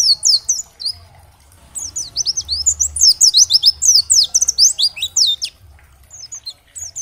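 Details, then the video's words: Oriental white-eye of the dakbal variety, sung to encourage other white-eyes to answer and sing: a brief opening phrase, a pause, then a long, fast chatter of high, sharp, falling chirps, ending with scattered notes. "Terapi Masteran Pleci agar cepat Bunyi gacor dan nembak materi, pleci gacor"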